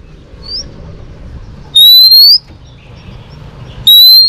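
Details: Female Oriental magpie-robin whistling to excite males for training: two loud, clear rising whistles about two seconds apart, the first slightly doubled, over quiet low rumble.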